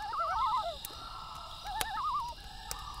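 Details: Loons calling at night: two wavering, quavering tremolo phrases, the second pitched higher, overlap at the start, then another tremolo follows after a pause, over snapping campfire crackles and a steady insect hum.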